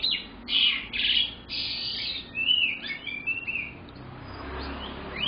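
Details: Young canary singing: bright buzzy trills and rapid chirped phrases, loud at first then softer warbling, over a steady low background hum.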